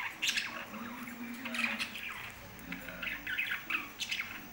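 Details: Lovebirds at home give quick, shrill chirping calls in clusters, bright and slightly buzzy, sounding nearly without pause across the few seconds.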